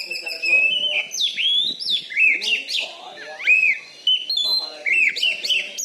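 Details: Champion caged Oriental magpie-robin from Bengkulu, Indonesia, known for a loud voice: continuous sweet warbling of swooping, bending whistles and quick chirps, dense and varied, with faint low murmur behind.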